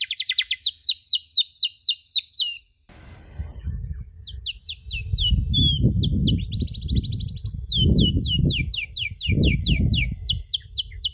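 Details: Canary master song recorded for training young canaries to learn chirping: fast runs of descending whistled sweeps, repeated several times a second, broken by a short pause, with low rumbling background noise from about three seconds on.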